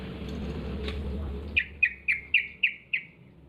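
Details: Yellow-vented bulbul lure call for prompting other bulbuls to answer: six crisp, downslurred chip notes spaced evenly about a third of a second apart after a stretch of low background hum.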